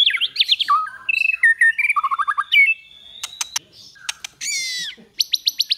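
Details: White-rumped shama singing in the kéo thuốc lào and giọng dây styles for daily training: a rich, fast-changing medley of rapid trills, falling slurred whistles, a long steady whistle, clicks and a closing quick rising note series.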